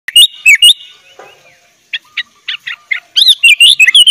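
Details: Sooty-headed bulbul in full gacor song with isian fill-ins, meant as a tutor recording for young bulbuls: loud whistled notes rising and falling, a pause, then bursts of short chirps building into fast, wavering phrases.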